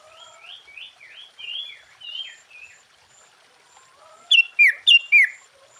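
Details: Sooty-headed bulbul in lively song used as a lure for other bulbuls: a soft, fluid string of whistled phrases, then four loud, evenly spaced whistles that each drop in pitch, delivered quickly near the end.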